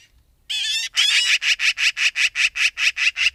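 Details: Magpie opens with a scratchy, squealing note, then launches into a long, loud rattle of harsh 'chak' notes, about five a second, steady and unbroken to the end.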